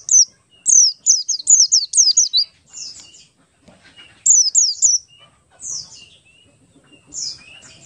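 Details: Oriental white-eye (buxtoni) in ngalas song style, a lure for getting white-eyes to sing quickly: a fast run of five or six high, dropping whistles, then a shorter triple burst and softer, fainter notes later.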